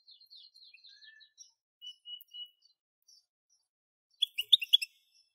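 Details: European goldfinch singing: faint, quick twittering notes run for a few seconds, then a short burst of loud, bright, clipped chirps near the end; no other sounds.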